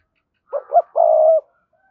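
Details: A spotted dove's urging coo aimed at a rival bird, with two quick rising notes leading into a long, level, slightly vibrating coo.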